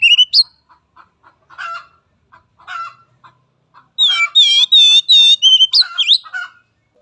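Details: Young, untrained Oriental magpie-robin (kacer) song used as a lure (pancingan) to train other birds: scattered soft clicks and harsh chattering notes, then a loud run of rich, repeated, rising whistles mixed with scratchy chatter.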